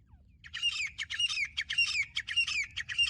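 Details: Female grey francolin, a desi calling bird kept for hunting, utters a hurried series of grating, squawky notes, about two bursts per second, each with a rising-falling twist. There are no other clear sounds.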